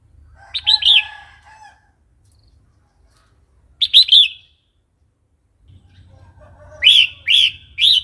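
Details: Red-whiskered bulbul wild-type song, used to provoke new or wild birds and to teach young birds: short, bright, bubbly whistled phrases of two to four quick notes in bursts a few seconds apart, over a faint low rumble.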